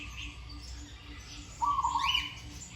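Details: Zebra dove being trained to sing gives one rapid, purring, trilled coo phrase late in the recording, with a higher sweeping chirp from another bird and a soft steady hum underneath.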